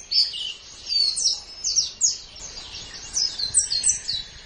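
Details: Master song of a white-eye for caged-bird training: slurred high chirps, loosely spaced at around one or two a second, with some softer overlapping twitters.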